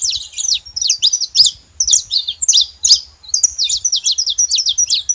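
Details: Saffron finch delivering a fast, loud song of high chirps and squeaky notes in bursts, pausing briefly between phrases before resuming its busy twittering.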